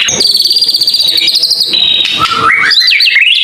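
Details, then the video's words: White-rumped shama, tembakan panjang song: a rapid pulsing high trill held for over a second, a long steady whistle, then lower whistles twisting into looping slurs. "mure tembakan panjang"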